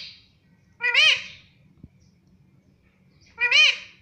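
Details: Pet parrot talking, said to say "mummy": two short, strongly harmonic, arched syllables about two and a half seconds apart, each rising then falling in pitch, with a faint low hum in the room.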